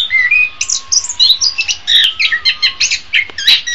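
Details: Orange-headed thrush song for training songbirds in the morning or afternoon: a short, lively run of whistled slurs and rapid chirps, each note quickly following the last, over a faint low hum.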